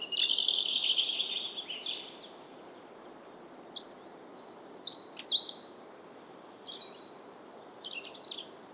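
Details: Dunnock recorded in Estonia. A short, high, buzzy note opens the stretch, then a quiet gap, then a quick scratchy warbled phrase of thin tinkling notes. A softer, fainter snatch of song follows near the end.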